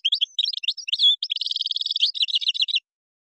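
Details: European goldfinch, Moroccan style with gazarat and srrr bertbertiu: varied twittering notes, a short slurred whistle, then a buzzy rolling trill that breaks into quick clipped notes.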